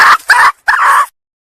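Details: Sumatran female red junglefowl calling to attract males, giving three brief harsh cackling notes, the last one longest, then silence.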